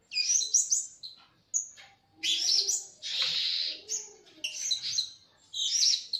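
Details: Lure call of the Blue-crowned hanging parrot for bird trapping: dense, shrill, high-pitched chattering bursts and a sustained buzzy screech, separated by short pauses, with faint lower sounds beneath.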